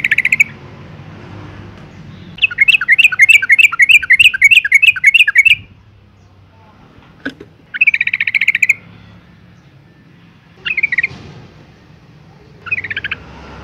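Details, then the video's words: Breeding-condition female Yellow-vented Bulbul calling males; rapid rattling chatter in several bursts, one long run of evenly spaced sharp notes and shorter rattles, with quiet pauses between. "suara panggilan burung trucuk betina BIRAHI GACOR ROPEL panggil jantan"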